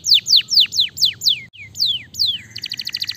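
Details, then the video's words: Canary song meant to make a silent canary sing again: a rhythmic series of loud descending whistled slurs, a short pause, two more slurs, then a quick buzzy trill at the end. "Pancingan AMPUH Kenari Macet Jadi Gacor Lagi"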